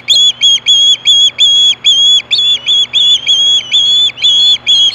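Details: Screaming for fish, an osprey at Hellgate, 2014, late afternoon at 4:19 PM, gives a long steady series of piercing whistled yelps, about three per second, with a faint constant low hum underneath.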